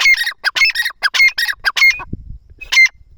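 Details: Francolin (teetar) enjoying itself among nearby plants, giving loud, harsh, scratchy calls in a fast repeated series, a brief pause with a low thump, then one more grating note.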